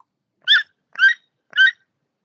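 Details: A dry bird recording from field-recording databases, used in forest sound-scene simulation: a bird gives three short, rich, slightly nasal notes, evenly spaced about half a second apart, with clean silence between them.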